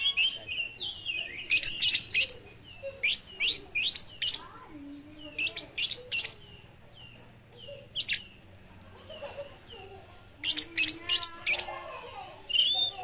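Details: Oriental magpie-robin, a speckled young bird singing strongly after absorbing lovebird calls, suited as a lure for others of its kind; a long series of quick, harsh, piercing chirps in clusters of two to four, with short whistled slurs between.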